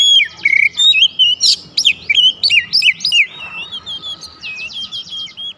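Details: White-rumped shama song played to provoke other birds: rich, fast sequence of loud fluty whistles and sweeping notes, ending with a quieter rapid trill.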